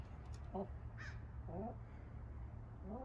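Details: Urban flock of hens at bedtime giving short, rising, nasal calls spaced about a second apart, with a low hum and a faint click in the background.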